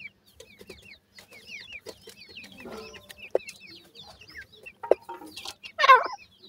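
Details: Francolin (teetar) chicks feeding give clear, high, down-slurred peeps in a steady run over a quiet background. Occasional knocks sound, and a loud rasping squawk comes near the end.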